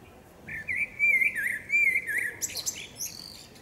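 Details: A common blackbird (Turdus merula), possibly a singing female, in a forest sings one low, fluty, warbling phrase of nearly two seconds, ending in a thin, high, squeaky twitter. Faint background hiss.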